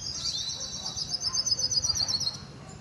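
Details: Hooded siskin (Spinus magellanicus), song: a fast, high twittering run of tinkling notes flowing without pause for nearly three seconds over faint background hum.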